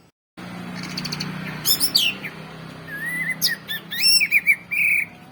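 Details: Orange-headed thrush singing: a low hum at first, then sharp, sliding whistled notes, followed by a run of bright, warbled, rising and falling phrases near the end.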